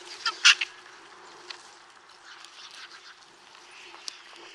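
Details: White-backed vulture in Kruger National Park, Southern Africa: a few harsh, rasping bursts early on, then quieter scratchy sounds over a low outdoor hiss.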